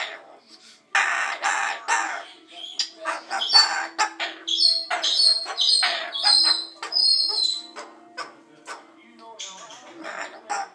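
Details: Pet cockatoo singing and dancing at home: harsh, screechy bursts mixed with higher whistled notes, delivered in an irregular run of loud phrases with short pauses, while a person talks nearby.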